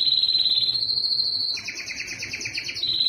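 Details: Belgian canary in loud breeding song aimed at females: a long steady whistled note, then a quick rattling double-toned trill repeated about fourteen times, returning to the level whistle at the end.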